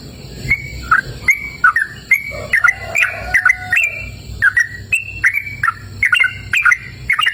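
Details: Yellow-vented bulbul singing actively outdoors in a cool, open natural setting: short whistled, bubbly phrases that rise and fall, repeated roughly every half second, over a steady low hum.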